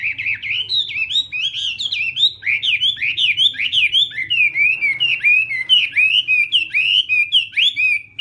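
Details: Chinese hwamei practising its voice in the morning for singing contests: continuous loud, rich whistled phrases, each swooping up and down, repeated rapidly and evenly.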